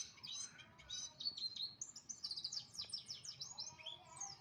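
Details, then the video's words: Morning song of an oriental white-eye, a fast, unbroken chatter of very high, sweet chirps and slurred trills running continuously through the short recording, with soft low background hum. "burung pleci kicau pagi hari"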